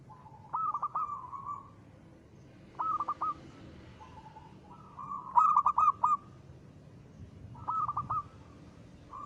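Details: Zebra dove of local stock in full ngristal song, used as a lure for other doves: four separate cooing phrases, each a short purring start followed by quick rolled notes, with brief silences between.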